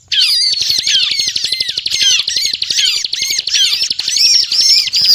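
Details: Energetic Sunda robin song, played as a trapping lure: an unbroken stream of rapid, high twittering and buzzy trills with sweeping whistled notes, steady and loud throughout.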